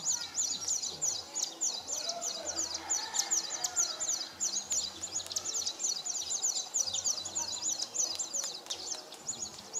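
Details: Displaying male São Tomé prinia, Nova Moca, São Tomé and Principe, 19 Jan 2019; long, sustained stream of high, thin, rapidly repeated squiggly notes, roughly three per second, over soft distant bird calls and a low intermittent hum.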